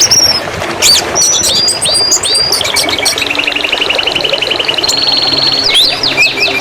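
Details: Canary song on a master recording used for training birds: rapid trills and repeated high notes, some whistled slides and sharp chips, over a steady background hiss.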